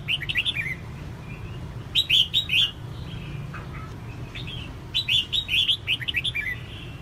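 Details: Calling female red-whiskered bulbul, used to prompt males into song, gives clusters of sharp, bright, slurred chirps separated by quiet gaps of one to two seconds, over a faint low hum.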